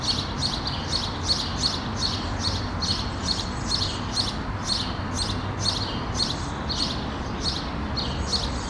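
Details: Common starling fledglings on a tree branch in Helsinki, Finland, June 2013, give harsh, raspy begging calls about twice a second as the parent approaches to feed them, over a steady low rumble.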